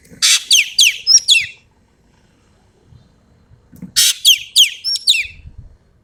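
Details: Sumatran Common Green Magpie giving two bursts of a harsh rasping note, then quick high whistles sweeping downward and a level piping whistle, repeated after a short pause.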